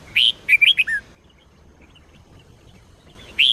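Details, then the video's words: Training song in the Sông Kôn style from a red-whiskered bulbul: a short run of clear, looping whistled notes ending in a downward slur, silence, then a new phrase starting. "chào mào SÔNG KÔN hót cực hay"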